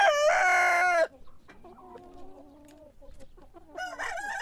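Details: Rooster crowing in the morning: a loud harmonic crow lasting about a second, held then falling at the end, followed by softer distant crowing and the start of another loud crow.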